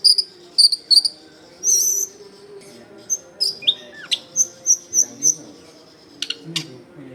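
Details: Long-tailed shrike singing as a lure for wild shrikes: loud high whistles, a downward-sliding whistle, then a steady series of about seven sharp identical whistled notes, with a low hum beneath.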